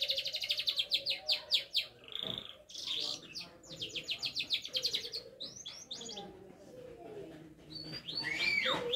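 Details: Singing canary learning to shake its head: rapid repeated high trills, then buzzy bursts and varied slurred phrases, with a person speaking in the background.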